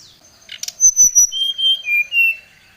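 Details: Agitated Brown-chested jungle flycatcher summoning a rival: after a few rustling clicks, loud slurred whistles step down in pitch one after another, each note clear and ringing.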